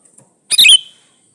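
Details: A single brief, harsh, gurgling note with a whistled ending from a male sooty-headed bulbul calling a female, used to coax other bulbuls into calling back.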